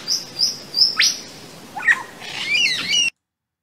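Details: Superb Lyrebird in wet forest, played to ask whether lyrebirds mimic human sounds; a varied mimicry run of three thin high whistles, a sharp falling sweep, then chattering, warbled notes, in which the listener suspects a human voice saying "rocket ship".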